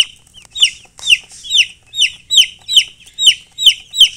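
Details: Baby chicken chirping: clear, loud peeps that rise briefly then drop, repeated evenly about twice a second, each call rich and ringing, with quiet between.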